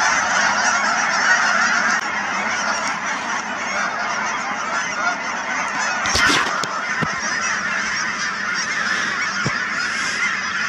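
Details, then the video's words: Thousands of Canada geese at the Cheam Wetlands near Chilliwack, British Columbia, honking together in a dense, unbroken chorus of overlapping nasal calls, with a few sharp clicks near the middle. "Canada Geese at Cheam Wetlands"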